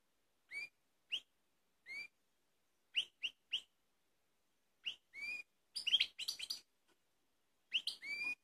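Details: Balkan goldfinch in Kumanovo, Macedonia, 16 March 2018, giving quiet, spaced, upslurred whistled call notes, single or paired, then brief twittering bursts near the end.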